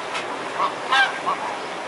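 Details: Mute swan calling with a few brief, nasal honking notes, one stronger note in the middle, against a constant background hiss.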